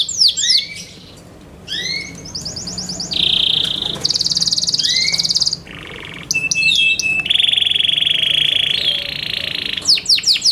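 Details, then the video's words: Yorkshire canary, a kept bird, singing a varied song of loud high chirps, downslurred notes, rapid trills and sustained buzzy rolls in several phrases separated by short pauses. "Yorkshire canary Nice sound"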